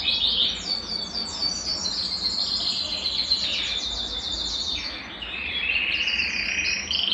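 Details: Belgian canary song played to warm up a cold canary: continuous high twittering with rapid repeated syllables, dipping lower midway then rising into a bright trill near the end.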